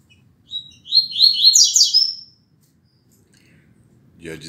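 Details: Classic tuitui song of a rusty-collared seedeater, recorded 16 December 2019 at 6:30 in the morning. A soft lead-in note is followed by a rich, rapid run of buzzy, sliding high phrases, then a man begins speaking.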